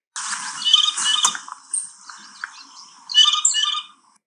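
A Blue Jay's soft, rambling song of squeaky, scratchy chatter and thin whistled notes. It comes in two bursts over about four seconds, with nothing else heard.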